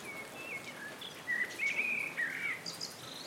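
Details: Common babbler (Turdoides caudatus) calling with a series of warbling, slightly trilled whistles that rise and fall, ending in higher squeaks, over faint background noise.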